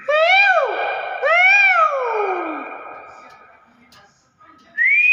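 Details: A Nias hill myna gives two loud, nasal, harmonic calls that rise and then fall in a hump, the second drawn out into a slow downward slide, and then a bright rising note at the end.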